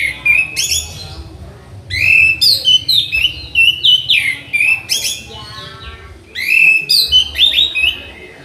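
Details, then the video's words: Orange-headed thrush song used as a tutor recording for training birds: loud, varied phrases of bright whistles and buzzy, rattling notes, in bursts roughly every second with short pauses, over a faint low hum. "Melatih Mental Masteran Anis Merah"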